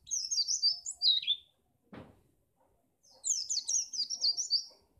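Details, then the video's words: White-eye song from Pacitan, played to get contest birds singing: rapid high twittering phrases, a pause broken by a single low knock, then another fast run of tinkling notes. "pleci ini bisa membuat burung mu gacor"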